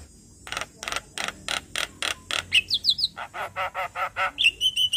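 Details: Rhythmic harsh clicks and rasps from a Javan myna, part of a morning training lure, spaced evenly and then speeding up, with a short falling whistle and a sustained high whistle near the end.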